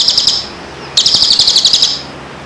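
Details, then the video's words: Moulting-bird training song: two bursts of very high, buzzy, rapidly pulsed chattering notes separated by a short pause, clear and loud over a quiet background. "masteran Burung istimewa.Cocok untuk Burung Mabung.&Pasca Mabung"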